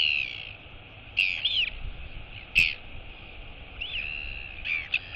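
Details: A female royal albatross chick calls to her returning mother at feeding time, 23 August 2022. Thin whistled notes bend up and down in loose bursts. A few sharp clicks and a steady background hiss.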